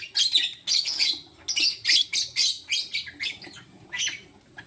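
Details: Lutino lovebirds, a male choosing between two females, in the morning; steady series of loud, raspy, high chirps about every half second, fading slightly toward the close.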